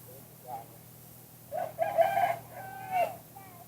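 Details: Spotted dove song of the two-kuk-hoi type: a short low coo, a pause, then a louder coo and a drawn-out falling hoo. A faint low hum runs underneath.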